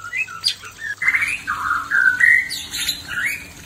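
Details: Male white-rumped shama singing toward a fierce female to spark breeding desire: varied mellow whistles and warbled slurs, loud and continuous, with a faint steady low hum in the background.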